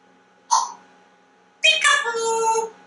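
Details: Indoor pet African grey parrot, a chatty male: a brief squeaky note, a pause, then a longer harmonic, voice-like drawn-out word.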